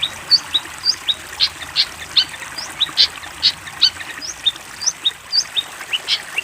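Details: Long-tailed shrike (cendet) master song for training young birds: a steady series of short, sharp, high chipping notes, about three per second, with some notes louder and sliding, over a faint hiss.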